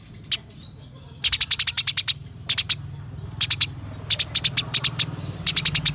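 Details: Rapid high chirp trains from a Eurasian tree sparrow in fighting display. Clusters of five to eight dry notes repeat after short pauses, with a steady low hum behind them.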